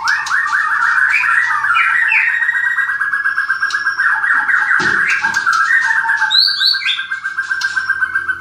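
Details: Captive-bred white-rumped shama in Klaten singing a fast, rattling trill of rapid repeated notes held at one pitch, with brief high chirps and whistles laid over it.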